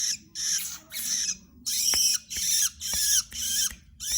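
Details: Long-tailed shrike kept for song tutoring (masteran): harsh, buzzy, rasping bursts about half a second long, repeated roughly twice per second, separated by short gaps, with a faint low hum underneath.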